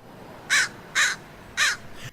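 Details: American crow, common in Lexington, Kentucky, gives three harsh, hoarse caws about half a second apart against a quiet background.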